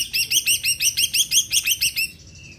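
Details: Greater green leafbird singing vigorously to stir other birds into song: a quick run of about ten identical rising-falling chirps, evenly spaced, fading out at the end.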